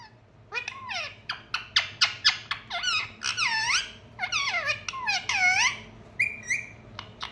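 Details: A parrot vocalising indoors in quick bursts: sharp downward chirps repeated rapidly, then wavering squeaky whistled phrases and a level whistle near the end, loud and close.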